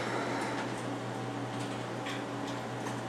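Steady indoor hum and broadband noise with faint ticking, and no animal voice.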